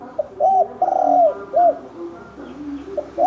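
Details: Fighting spotted dove of the 'thổ đồng' type, provoked in the 'kích trống, kích bổi' manner. One full phrase: a brief looped coo, then a long buzzy falling coo, then a rounded short note. A second phrase starts at the end.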